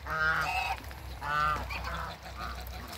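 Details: A pair of African geese at a waterbird farm, two loud nasal honks with rich harmonics followed by softer, shorter calls, low hum in the background.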